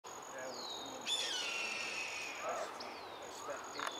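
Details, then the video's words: A Red-tailed Hawk gives its eerie, seldom-heard call: hoarse, downward-slurring screams, one long drawn-out in the middle, over a steady high insect whine and faint background murmur. "Red tailed Hawk calling"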